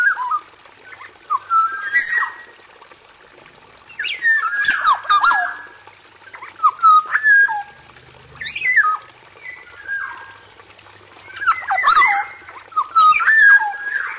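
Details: Male black-naped oriole in an aviary, in full vocal form: repeated bouts of rich fluted whistles, many sharply downslurred, separated by pauses, with occasional rough, clattering notes and a constant high hiss.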